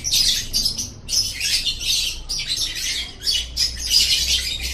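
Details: Lovebird song intended to build a caged bird's voice: rapid raspy squeaks and chirps in four clustered bursts, shrill and buzzy throughout.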